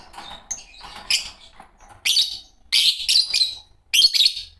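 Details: Shrill, scratchy chirps from a green Fischer's lovebird pair come in separate bursts about every second, growing louder and more crowded toward the end.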